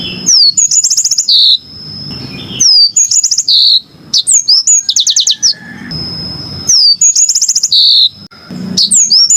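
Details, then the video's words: Sustained yellow-fronted canary singing, with trilled bursts, whistled downslurs and buzzy rolls repeating every couple of seconds, loud and clear above a faint steady high tone and low rumble. "kicau burung MOZAMBIK super jernih"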